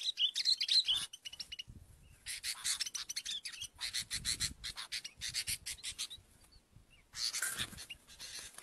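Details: Sooty-headed bulbul sound used for bird luring. Starts with bright whistled notes, then long runs of coarse rasping chatter in pulsing groups, broken by brief quiet gaps and faint low rumbling.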